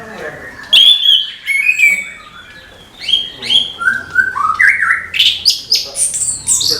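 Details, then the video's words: Varied morning song from an orange-headed thrush: squawky and whistled notes, a short pause, then rapid slurred phrases climbing into shrill, high chattering. "ANIS KEMBANG GEMERCIK SUARA DIPAGI HARI"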